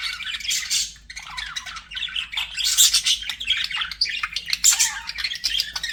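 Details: Budgerigar song from pet birds: nonstop chattering warble of fast squeaks, buzzy trills and sharp chirps, rising and falling in loudness throughout.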